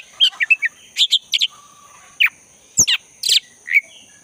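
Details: Black-breasted white-rumped shama recorded in the forest, meant to provoke a silent caged bird into singing: sparse bursts of sharp, high chirps and short slurred whistles separated by brief pauses, over a steady faint insect drone.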